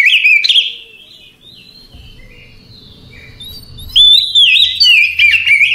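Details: Night-time relaxed singing from an Oriental magpie-robin: rich whistled notes at the start, a long soft stretch of thin faint notes, then another loud burst of slurred whistles and quick chirps.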